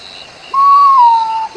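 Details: Potoo, a nocturnal forest bird whose call is likened to a human moaning in deep grief or calling for help: a single long, mournful whistled note, steady at first then sliding slowly downward, about a second long.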